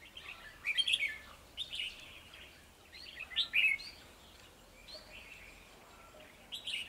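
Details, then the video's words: Two male red-whiskered bulbuls challenging a decoy during trapping, 9 December 2020: several short, bright warbled phrases of quick liquid whistles, spaced about a second apart, with quieter phrases between, against faint background noise. "Bẫy chào mào 2 trống đòi chiến mồi"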